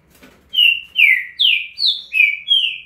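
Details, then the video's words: Green-winged saltator giving six loud, clear whistles in a swift estouro burst, each note about a third of a second, alternating falling and steady tones, in a clean quiet setting. "Trinca ferro Estouro mais rápido velocista."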